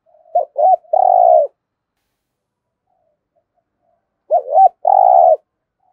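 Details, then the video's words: Spotted dove decoy bird giving the thúc gù cooing style, used to lure wild doves: two short low notes, then a long burry coo, with the phrase repeated after about three seconds of silence. "cu gáy thúc gù giọng hay, chim cu mồi thục giọng hay hạp bổi"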